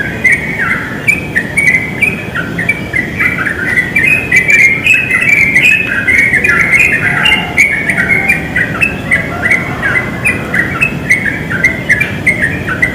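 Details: Highly vocal wild yellow-vented bulbul in a pine tree, pouring out a long, rapid chatter of bubbly warbled notes, several every second with little pause, with soft insect ticking and distant rumble beneath.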